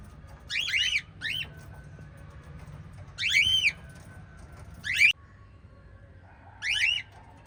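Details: Lovebirds of a five-bird family giving loud, squeaky chirps in uneven bursts, some doubled, each note a shrill rising-and-falling squeal, separated by pauses over a faint hum.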